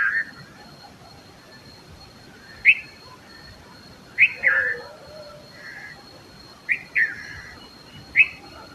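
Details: Indian red-vented bulbul singing short, bright whistled phrases in scattered bursts, about five or six over nine seconds, some rising and bubbly; a faint steady high hum runs throughout.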